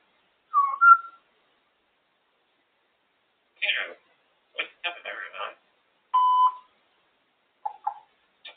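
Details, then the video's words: A female African grey parrot on top of her cage talks away in short, speech-like bursts mixed with clear whistled notes, a few phrases spread over several seconds in a quiet room. "African grey parrot really talking away"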